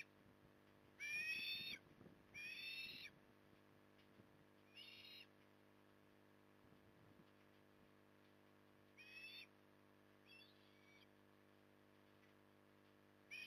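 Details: At Port Lincoln, Australia, on 9 October 2020, an osprey feeding in the evening gives scattered raspy, wheezy calls. The first two are loud and the later ones softer, with irregular soft tapping and knocking between them.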